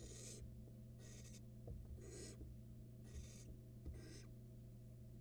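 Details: Barn owl nestlings, two, eating rats next to each other on a Florida nest box camera in 2022; five harsh hissing screeches repeated roughly once a second, with a low steady hum behind.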